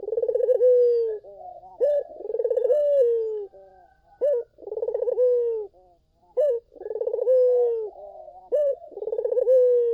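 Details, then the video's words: Repeated lure song of a vocal Barbary dove for calling in other doves: a steady cycle of clipped note, rapid rolling trill and long falling coo, about every three seconds, clean and loud. "SUARA BURUNG PUTER GACOR! 100% pancingan ampuh,puter kamu pasti katut"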